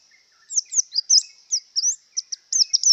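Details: Singing Javan white-eye in breeding condition: a string of high, clear, swooping notes with short gaps, some rising then falling, with fainter lower chirps in the background.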